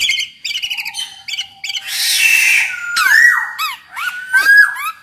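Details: Black-naped oriole singing, a recording meant to lure other orioles into song: rapid stuttering chirps, a harsh rasping burst, then long fluty whistles with quick overlapping swooping notes.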